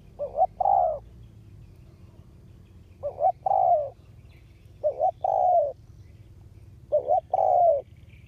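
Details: Spotted dove used as a ground decoy to lure wild doves, August 2021; four phrases roughly every two seconds, each two quick clipped notes then a longer throaty coo, over low rural background noise.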